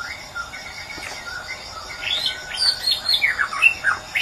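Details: Quiet low whistles open this white-rumped shama's song from Medan, building after two seconds into loud rapid chirps and down-sliding whistles, above a continuous high-pitched drone.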